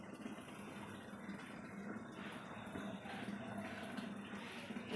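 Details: Indoor water sounds, like pouring or filling, with faint speech in a small room; no animal sounds are heard.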